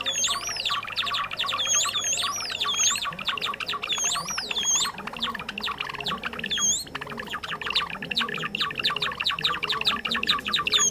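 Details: Java sparrow call used as a trapping lure; birds often found in rice fields and farmland. Dense chattering of high clicking chirps with repeated upswept whistled notes over a low hum, several birds calling together.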